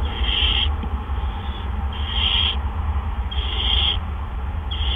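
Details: Barn owls at a nest on the evening of April 17, 2013, around 8 PM, as two adults bring gophers one after the other. Harsh hissing screeches of about half a second repeat roughly every 1.5 seconds over a steady low hum.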